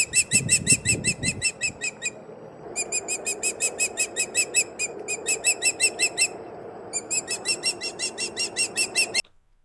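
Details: Osprey in the UK in spring, a male perched near the nest calling to the female to signal all is well or to warn of another osprey or danger: fast runs of high, thin whistles, nearly three a second, after a few low thumps.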